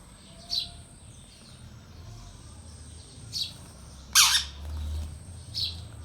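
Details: Indian rose-ringed parakeet, a pet talking bird: a few short high chirps spaced about a second apart, then one loud harsh squawk burst, with low background hum and a steady high whine.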